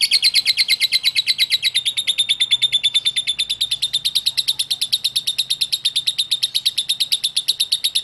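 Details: Lovebird ngekek song: an unbroken, very regular rapid trill of high notes running for about eight seconds at a steady pitch.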